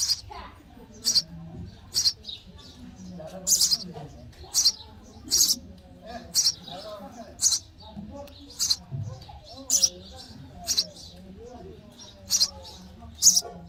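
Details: Sparrow chicks in the nest chirping for food while being fed: short, high, sharp chirps repeated roughly once a second, with faint low murmurs in the background.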